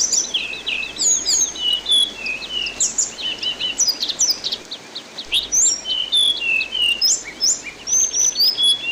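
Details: Orange-headed thrush (anis binbin) used as a training recording, singing a rich, varied stream of high whistles, slurred notes and quick trills, phrases tumbling over one another almost without pause.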